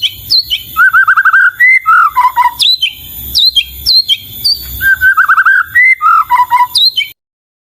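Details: White-rumped shama (murai batu) singing melodiously with sharp high upslurred notes, rippling trills and lower warbling phrases, the sequence repeated twice in varied form.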